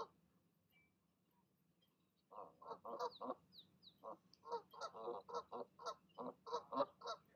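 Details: Goose mother calling her goslings down from the nest in the evening: quiet start, then a steady stream of quick nasal honks, with faint high thin peeps above them.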